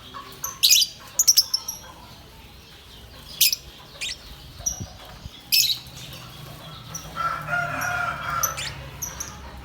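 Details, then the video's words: A green lovebird gives sharp, high shrieking chirps in short bursts, with a longer buzzy chatter near the end and a faint background hum. "Lovebirds' Sounds🦜 Beautiful Lovebird. Singing and chirping sound"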